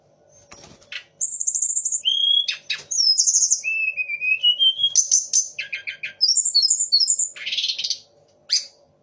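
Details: Sunda laughingthrush in full song, copying magpie-robin, shama and orange-headed thrush. Thin high trills, a long rising whistle, then bursts of rapid chattering and buzzy notes, after a quiet click or two at the start.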